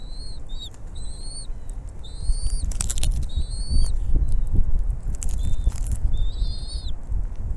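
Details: Bald eagle at its nest while the mother brings food to feed her chicks: high, thin whistled notes, some slurred and rising, in short bursts over steady low wind rumble and a few sharp knocks.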